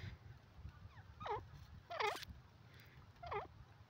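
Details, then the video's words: Fainter francolin, known locally as teetar, with a thin upslurred whistle then three ringing, harsh notes spread over four seconds amid a constant low hum. "desi teetar ki awaaz best dakhni teetar sound pheasant ki boli"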